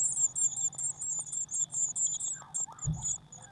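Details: Eurasian blue tit at a nest box on 19 May 2019, with a feeder freshly filled with waxworms, recorded in real time: dense, rapid, very high thin calls run in a continuous chattering stream, with a low hum and a brief thump beneath.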